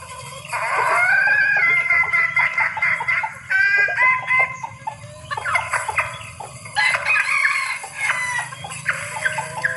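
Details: Calling female red junglefowl in heat, used to attract males: dense, loud clucking bursts mixed with thin squealing whistles that repeat in several phrases, over a steady low hum.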